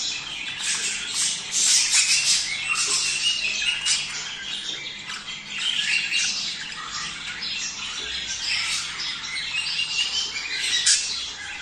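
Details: Budgerigars heard in a sound for preparing males and females to mate: loud, dense chattering squawks in rolling bursts, swelling near the second and eleventh seconds, many voices overlapping.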